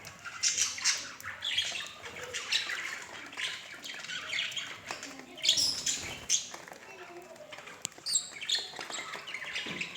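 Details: Pair of budgerigars with intermittent bursts of high chirps, squawks and warbled twitter, separated by short lulls.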